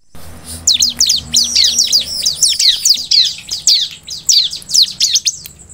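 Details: Bar-winged prinia singing vigorously in a compilation meant to make other prinias respond: a dense run of high, sharp, downslurred chirps and quick twittering notes, with a faint low hum beneath.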